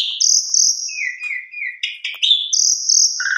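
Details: Asian pied starling (jalak suren) in full, complete song used as a lure to draw other birds into singing: loud varied phrases mixing high sustained whistles, lower warbled notes and sharp chattering bursts, switching pitch every half second.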